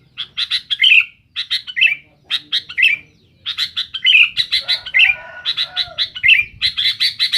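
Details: Sooty-headed bulbul singing noisily to challenge rivals: bright chirping phrases repeated in quick bursts, each cluster of sharp notes ending in a short slurred twitter, with brief pauses between groups.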